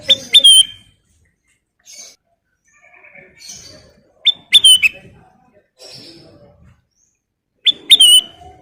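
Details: Ruby-throated bulbul, called kutilang emas, in lively full-fill song: short sharp whistled phrases ending in a falling slur, repeated roughly every four seconds, with softer notes between.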